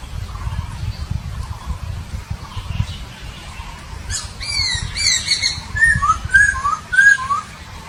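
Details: Papuan poksay photographed at Nabire, Papua, on 26 December 2021, giving a run of short clear whistled notes with squawky accents, rising and falling phrases repeated about once a second in the second half, over steady low background rumble.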